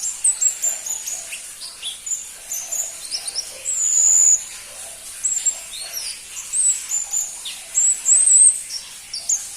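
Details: High, thin twittering of a crimson-breasted flowerpecker, known locally as pentis pelangi: quick sharp ticks and brief sliding whistles in irregular bursts, one longer bright note near the middle.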